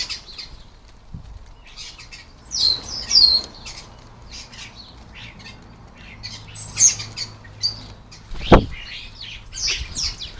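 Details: Starlings busy at a garden bird table for lunch, with scattered grating squawks and short whistled notes arriving in clusters, quiet gaps between, and one sharp thud near the end.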